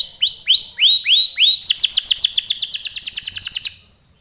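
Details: Canary in long, lively song: several slow arched whistles followed by a fast, bright trill of repeated high notes that fades out after about four seconds.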